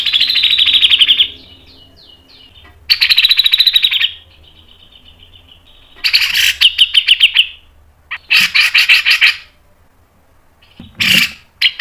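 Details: Cucak jenggot masteran song: five bursts of rapid, sharp, chattering notes, each lasting one to two seconds, separated by short pauses, some ending in a thin held tone.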